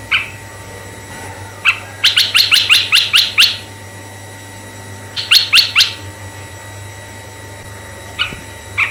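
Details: Red-eyed bulbul song played to attract other bulbuls: a run of about nine rapid sharp chirps, a pause, a shorter burst of five, then isolated single notes, steady hum in the background.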